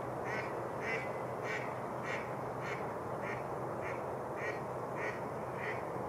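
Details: In spring, mallard flocks gather near the melted shoreline of Rush Lake, New Brighton, Minnesota. About eleven evenly spaced quacks sound at under two per second against a constant broad hiss.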